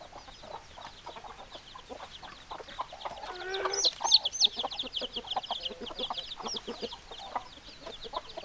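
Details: Flock of chickens, hens and roosters, clucking fast and overlapping, about three notes a second, high peeps throughout, with a louder harsh squawking outburst in the middle.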